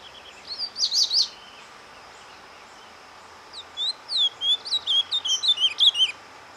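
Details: Ultramarine grosbeak singing surdina, a soft song meant to stir breeding stock: first a brief buzzy trill, a pause, then a quick run of high whistled and slurred notes building in loudness.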